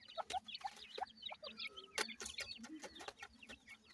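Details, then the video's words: Young partridge babies in captivity give a steady chorus of high, falling peeps, several birds calling at once, mixed with clicks and soft low thumps. "cute partridge babies"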